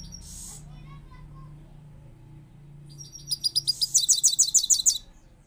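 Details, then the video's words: Goldfinch, newly acquired and called a powerful singer, gives a short high note, then after a quiet low hum a loud rapid run of sharp twittering chirps repeated several times per second. "power full singing gold finch"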